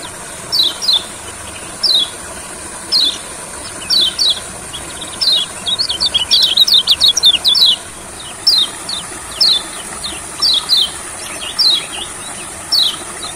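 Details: Olive-backed sunbird singing in a rice field, a recording meant to make reluctant sunbirds sing: high, thin downslurred notes, often paired, repeated about once a second, with a dense twittering burst midway.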